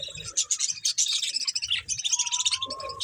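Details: Budgies eating green food give dense, fast, high chirping and chattering warbles, a busy overlapping flock of scratchy notes with a brief smooth whistle near the end.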